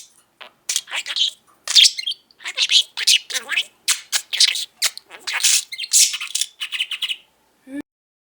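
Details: Male pet budgie talking all day indoors: a long string of quick, chopped, high-pitched mimicked syllables with rhythmic pauses, ending in a brief low sound.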